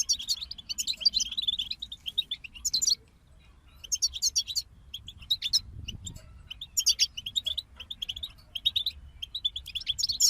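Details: Several European goldfinches sing together, serving as motivation for songbirds: quick bursts of high twittering and jangling trills, with one clear silent break near three seconds.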